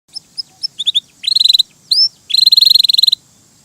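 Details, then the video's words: Canary singing in a vigorous, melodious gacor style: short high chirps, then fast bursts of repeated notes, a rising slurred whistle, and a long rapid rattling trill of high syllables over a quiet background. "Suara Burung Kenari!!! GACOR MERDU"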